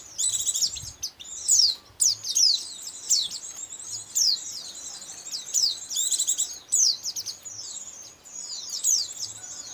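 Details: White-eye lure sound for trapping: sustained high, thin twittering with sharp falling chirps repeated about once a second, bursts separated by brief pauses, faint low noise beneath.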